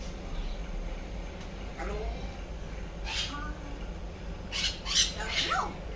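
A grey parrot talks in short, word-like bursts with gliding, voice-like tones and a few harsh squawky notes, over a low background hum.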